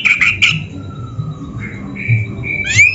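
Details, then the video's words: Oriental magpie-robin (kacer) on a training masteran for caged birds, giving a few loud chirps, then a long thin low whistle and drawn-out level whistled notes ending in a sharp upswept note. "MASTERAN KACER GACOR FULL ISIAN !! - Suara Burung Kacer yang cocok untuk LATIHAN"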